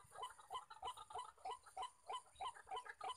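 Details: Wild white-breasted waterhen males answering around a lure bird: loud, regular run of throaty, croaking syllables, roughly three per second, evenly spaced.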